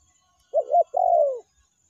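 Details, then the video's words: Brief spotted dove coo from a lure recording of the meratus and melambung styles: a double-humped mellow note, then a long, gently wavering coo that slides downward and ends cleanly. "PANCINGAN TEKUKUR SUARA MERATUS DAN SUARA MELAMBUNG"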